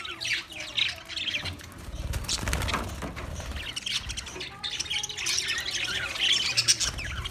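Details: Budgerigar chirping song recorded 14 March 2024: rapid scratchy twittering and high chirps, dipping into softer, noisier passages midway before rising again into bright, dense warbling.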